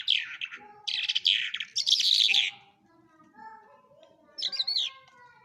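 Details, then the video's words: Larks from Quetta, Pakistan, singing: three loud bursts of high chirping twitter in the first three seconds, quieter low sounds after, then one more short twittering phrase near the end. "Lark birds of Quetta singing very nice کوہٹہ لونڈا جل کی آواز"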